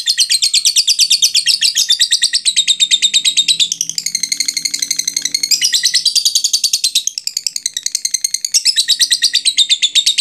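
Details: Lovebird giving a long ngekek chatter, used as a lure to stir other lovebirds into chattering: a continuous, rapid, high-pitched stream of harsh trilled notes with no breaks, briefly softer and wavering midway.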